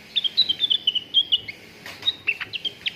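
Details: Cucak ranting bulbul in a training recording for contest birds, giving a fast chatter of short high whistled notes, about two a second at first, then sparser, sharper chips.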